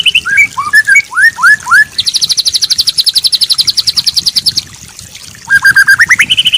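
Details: White-rumped shama song used as a training recording for songbirds: rising whistled notes, then a long fast buzzy trill of rapid repeated high pulses lasting over two seconds, ending in a quick run of repeated notes climbing upward.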